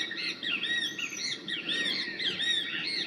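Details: Great Kiskadee perched at the Gamboa Rainforest Resort, Panama, during a rain shower on October 9, 2012: loud, strident, repeated three-part 'kis-ka-dee' calls overlapping in quick succession, with a faint hiss of rain beneath.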